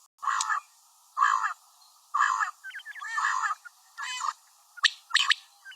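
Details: Calls of a female common quail, coarse grating notes each lasting about a third of a second, repeated roughly once per second, with a few sharper clicks near the end.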